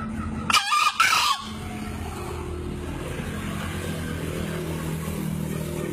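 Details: Two-year-old green junglefowl from Lombok, a 2016 crowing-contest entrant, gives one brief two-part crow near the start, a quick shrill note then a longer strained one, followed by steady low rumbling background noise.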